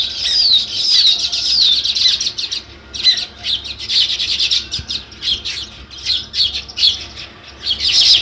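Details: Sparrows chirping in natural surroundings: a busy flock of high, overlapping chirps and twitters, rising and falling in loudness, with short pauses and a loud burst at the close.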